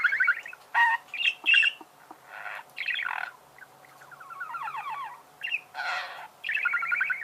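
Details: Several budgerigars singing, with a creak also noted: chattering warbles and buzzy rasping phrases in short bursts separated by brief pauses, plus scratchy squawks and a faint steady background hum.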